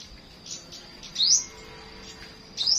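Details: In the morning a flowerpecker gives two separate thin, high, rising chirps about one and a half seconds apart, with faint softer notes between them.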